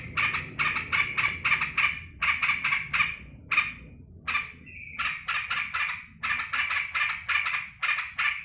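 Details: Kept yellow-vented bulbul greeting its keeper home from work, described as very happy: bursts of harsh, buzzy chattering notes, three to four a second, with brief pauses and one drawn-out slurred note near the middle; faint low background hum.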